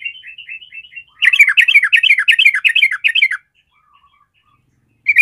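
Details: Sooty-headed bulbul, described as a fighter whose song provokes fighting emotion in other birds: a soft run of thin warbling notes, then about two seconds of loud, rapid, bubbly chattering phrases, a pause, and one more short note.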